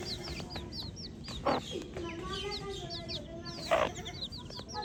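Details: Baby chicks in a continuous chorus of high, sweeping cheeps, with two louder rustling bursts and a faint steady hum below.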